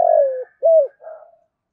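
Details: Decoy spotted dove in 'giọng thổ' style: a long coo sliding downward, then a clear arched coo and a soft trailing note. The recording is clean, with no other sounds.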